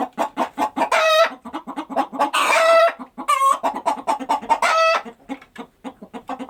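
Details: Farm chickens going about their day: quick pulsed clucks broken by drawn, nasal squawks that rise and hold, several birds calling over one another in a busy flock chorus.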